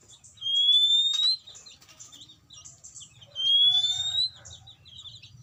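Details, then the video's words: Oriental magpie-robin song used as a lure to stimulate untrained birds: two loud, clear whistles rising slightly, each about a second long and three seconds apart, with scratchy high twittering between them. "siulan pancingan burung kacer bahan"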